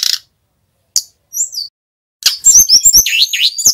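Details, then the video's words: Male brown-chested jungle flycatcher of Bali origin, recorded as a luring and master song: isolated short high chips and a slurred whistle, then a rapid tumbling string of sharp, swooping high notes. "Sikatan rimba dada coklat bali gacor - PIKAT Burung SRDC"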